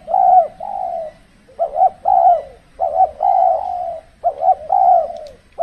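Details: Spotted dove calling during cold-season decoy trapping, when the birds are less aggressive: repeated phrases of short, clipped double notes leading into longer, mellow, sliding coos, in a rhythmic pattern.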